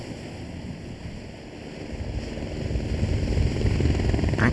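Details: Loud helicopter rotor and engine noise throbs steadily and grows louder toward the end, with no animal voice heard.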